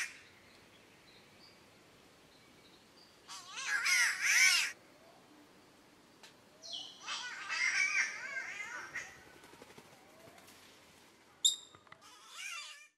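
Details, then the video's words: Spotted catbird from Australia uttering three bursts of harsh, wavering, cat-like yowls separated by quiet pauses, the last one short and abrupt, over faint background hiss. "Australian Bird that Sounds like a Cat!!"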